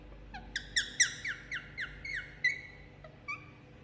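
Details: Pet Indian ringneck parakeet getting a head massage, uttering a run of about nine short, harmonic-rich chirps roughly four per second, then a couple of softer notes after a pause; faint background hum.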